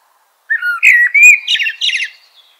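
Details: Eurasian blackbird giving a single phrase: low, smooth whistles sliding up and down, then a quick rattling twitter of high notes fading out.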